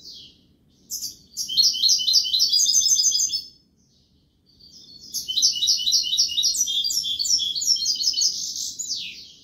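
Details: Two long goldfinch song phrases of rapid, bright, twittering notes, each several seconds long, separated by a short silence, with a faint low background hum.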